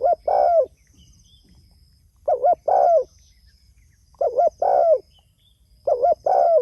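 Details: Calling to its companions, a spotted dove repeats a soft phrase of two short coos and one long sliding coo four times, about every two seconds; faint high thin background tone.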